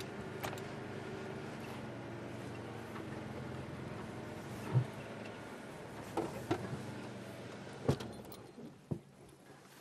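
A vehicle engine idles with a steady low hum, broken by a few clicks and knocks like keys or a door.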